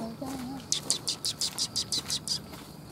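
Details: Sparrows coming to be fed at a Tenmangu shrine on 3 October 2021: about nine short, bright chirps in quick succession over under two seconds, with a brief low human voice at the start.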